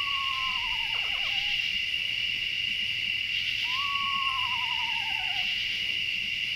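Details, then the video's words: Eastern Screech-Owl near a mountain campsite at roughly midnight, around 50 degrees, gives two quavering, horse-like whinnies, each sliding down in pitch over about two seconds, over a steady high insect drone. "Loved hearing the Eastern Screech Owl at 20:37 - 21:15. It's more of a whinny, like a horse, than a screech."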